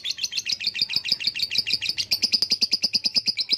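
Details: Long ngekek trill from a lovebird, a continuous fast train of shrill, scratchy notes, evenly pulsed and holding steady in pitch throughout.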